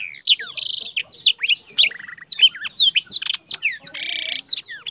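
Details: Blackthroat in full lively song, wings spread: tumbling high slurred whistles delivered in rapid succession, broken by two harsh buzzy rasps and a brief dry rattle.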